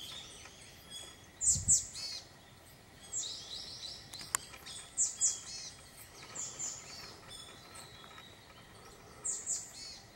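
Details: Iriomote tit on Ishigaki Island, Okinawa, Japan, in December 2023, giving short bursts of high, thin, slightly buzzy notes every couple of seconds, with a soft low thump and a faint click.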